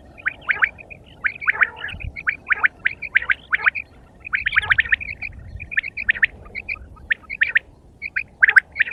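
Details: Quail calling in a steady run of short, sharp chirped notes, some doubled or tripled in quick succession, repeated every fraction of a second over a soft low background hum.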